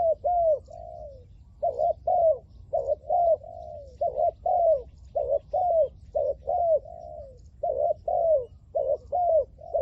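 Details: Spotted dove kept as a decoy in Thailand to lure wild doves; loud, regular two-note coos, each a quick rising-falling hoot followed by a longer drawn note, repeated steadily throughout over a low background hum.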